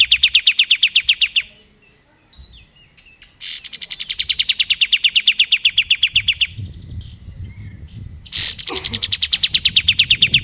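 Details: Plain-throated sunbird singing actively, recorded as tutor song for magpie-robins and other songbirds: fast, even trills of high, sharp repeated notes, broken by pauses, the last burst rising higher, with faint low rumble beneath.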